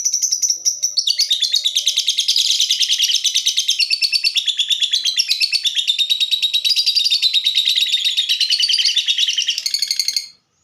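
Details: Lovebird of the fighter type in its 'typing' song: a dense, unbroken, high chatter of rapid ticks and squeaky trills lasting about ten seconds, with slight shifts in pitch, before stopping abruptly.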